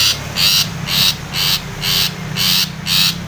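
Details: Long-tailed shrike provoking a rival with a steady series of eight harsh, scratchy chattering notes, about two to three each second, over a low background hum.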